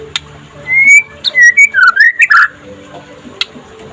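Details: White-rumped shama (murai pastol, trotol style) in daytime song, used to coax other shamas to sing: a varied phrase of long clear whistles, slurred notes and short buzzy accents, with faint clicks around.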